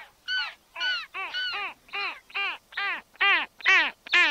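Arctic skua giving a rapid series of about nine nasal, mewing calls, each arching up then falling. About two calls per second, rich and harsh, with no other sounds.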